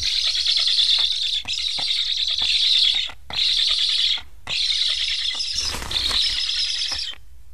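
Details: Black stork chicks in Estonia, wearing transmitters, beg while parents refuse to feed them. Rough hissing bursts of one to two seconds with short gaps, plus a brief rustling thud near the end.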